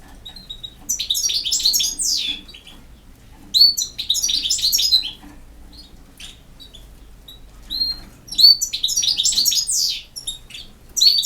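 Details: European goldfinch, a field-caught bird of the campero song style, singing in bursts of rapid twittering, buzzy and tinkling high notes with quick trills, phrases lasting about one to two seconds separated by short pauses; quiet room, no other clear sounds.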